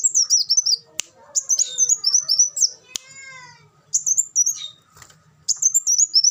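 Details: High twittering bursts from a kolibri wulung sunbird alternate with quieter stretches holding a sharp click and a soft descending lower sound.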